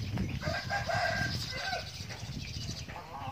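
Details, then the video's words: Feeding chickens giving short drawn tonal notes, several in a row, over a steady rumble of background noise and scratching. "chickens are eating feed"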